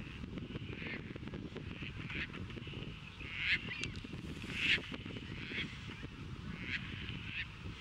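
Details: Courting Caspian terns at Montrose Beach, Chicago, on April 22, 2024, catching fish and offering them to possible partners before mating; repeated rough, rasping screeches roughly once a second, two louder ones midway, over low rumbling noise.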